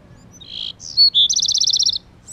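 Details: Male Bewick's wren protecting his nest gives a few high buzzy and whistled notes, then a fast, bright trill of about a dozen rapid notes, in quiet surroundings.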